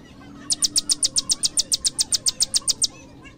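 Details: High-pitched prinia song from a prenjak lumut used as training material: a fast trill of about seventeen thin, sharp chips at very high pitch, delivered almost four per second, then stopping abruptly.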